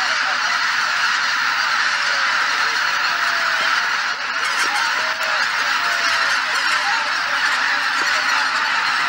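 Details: Geese gathered at dawn at Shishibana on Izunuma marsh under thick cloud, before leaving in four or five groups after six o'clock; a dense, continuous chorus of many honking calls, with no clear gaps between voices.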